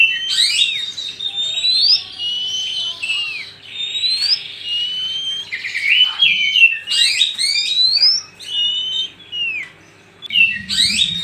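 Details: Oriental magpie-robin, male and female, used to lure birds: rich varied song of swooping whistles, buzzy trills and slurred notes in phrases over several seconds.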